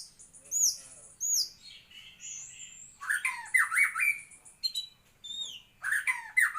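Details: White-rumped shama song mixing very high thin downslurred whistles with bursts of loud chattering, sweeping notes, delivered in short separated phrases.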